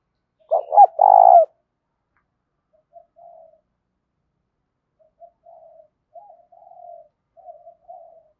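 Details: Spotted dove in the 'thổ' song style with a bit of 'đồng' voice: one loud three-part coo phrase at the start, followed by several faint, distant soft coos spread over the following seconds.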